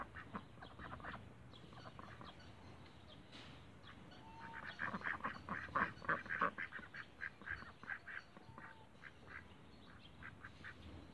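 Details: Several Cayuga ducks kept in a backyard break into a loud run of clustered, raspy quacks midway, then taper to sparse calls; faint hum underneath.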